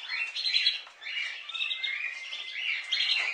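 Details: Budgies kept as pets in an unbroken trilling warble, quick rippling notes mixed with brief whistles, steady throughout.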